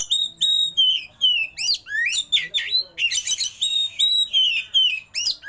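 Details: An oriental magpie-robin with its tail spread sings a fancy isian-style rolling song: clear level whistles alternating with quick down-slurred and up-slurred notes, about three phrases per second, varied and continuous.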